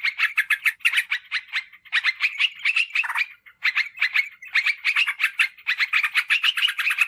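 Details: Sooty-headed bulbul lure call for drawing wild birds and tutoring caged birds: clusters of rapid chirping notes in short groups, with a brief silence midway.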